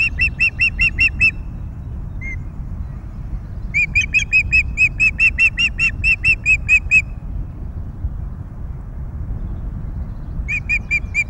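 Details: Ospreys at a nest at Loch of the Lowes, Scotland, on 22 May 2021, with three newly hatched chicks being fed; rapid series of high, sharp whistled chirps in bursts, with a long run in the middle and a short one at the end, over low wind rumble.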